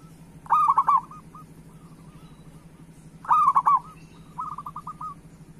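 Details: Zebra dove, a local bird singing eagerly as a prompting song for other doves. Two strong rippling coo bursts near 0.5 and 3.3 seconds, with quieter stuttering coos trailing after, low background hum.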